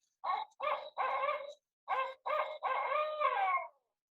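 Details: A Barred Owl gives its song, which projects louder than a Great Horned Owl's: loud, barking hoots, four quick notes, a short pause, then three more, the last one drawn out and sliding down at the end.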